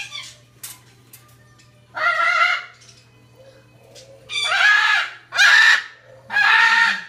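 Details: Pet macaw indoors, said to say hello only when its owner comes around; four loud, harsh, harmonic speech-like bursts of about half a second each, irregularly spaced, over a steady low electrical hum.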